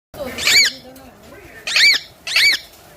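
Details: Talking parrot giving three short, bright, harmonic vocal bursts about a second apart, each bending up then down, with a faint low voice murmuring between them.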